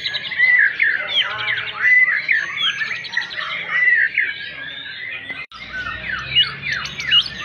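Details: White-rumped shama singing a continuous, rich song of rapid whistled phrases, sweeping slurred notes and chattering trills, loud throughout with a brief break near the middle before the song resumes.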